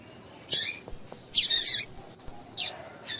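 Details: Female double-collared seedeater calling, a call used to stir males into singing: three short, sharp, high chipping notes spaced about a second apart, the middle one a broader buzzy burst, over quiet background hiss.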